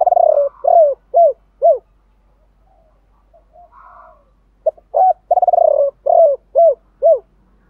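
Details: Spotted dove cooing, male and female voices meant to excite kept birds into cooing quickly. Mellow arched hoots open with a fast rolling trill, fall silent briefly, then return with a stuttered start and four more coos.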